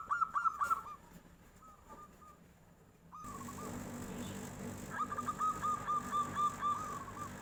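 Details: Local zebra dove, kept bird, singing in reply as a tofu seller passes: loud trilled coos, a quieter stretch with a sudden rise in background noise, then a rapid even run of about eight staccato notes.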